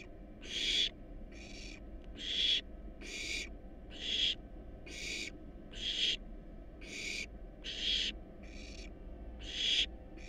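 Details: Wild barn owl nestlings begging in a monitored nest box during a feed of rat and rabbit; short rasping hiss-screeches repeat roughly every second in a steady run, over quiet low hum.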